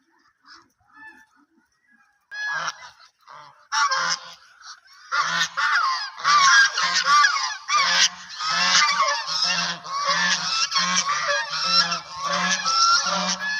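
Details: White and black ducks calling: quiet at first, then from about five seconds a loud run of harsh, nasal, honking quacks repeated quickly, roughly one or two each second, with a steady buzzy edge.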